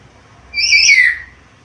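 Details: Black-capped lory, described as a lively talker with varied sounds, gives a single loud, buzzy screech that wavers and slides downward over about half a second.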